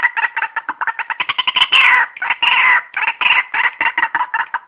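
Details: White-breasted waterhen call used as a lure for trapping birds: rapid, rhythmic repeated chattering notes with two banded tones, breaking into longer harsh squawks midway, then resuming the fast repeated pulses.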